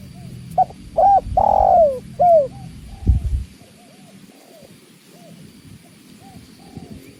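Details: Spotted dove (tekukur) giving one full cooing phrase of short notes, a long downward-sliding coo and a falling end note, then a low thud and faint distant coos.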